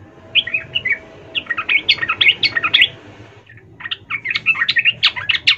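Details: Female sooty-headed bulbul calling to the male: two bursts of rapid, jumbled chirping notes separated by a short pause, over steady low background noise.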